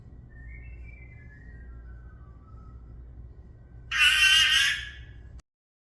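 A Senegal parrot gives a run of soft, falling whistled notes, then one loud, harsh squawk lasting under a second.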